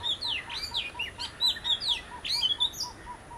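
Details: Oriental magpie-robin, one of a visiting pair, singing a rich run of sweeping, slurred whistles that rise and fall at high pitch, over a steady background series of short, low tonal notes repeated about four times a second.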